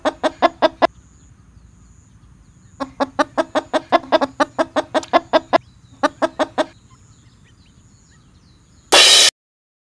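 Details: Eastern spot-billed duck calling to gather the group together: rapid bursts of short, harsh clucking notes, about five per second, in three runs separated by pauses, ending with a brief loud burst of noise.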